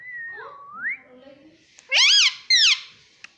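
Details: Indian ringneck parrot at home speaking mummy and papa in Hindi; a dipping then rising whistled tone with soft low voicing, followed by two loud, bright, arching harmonic syllables.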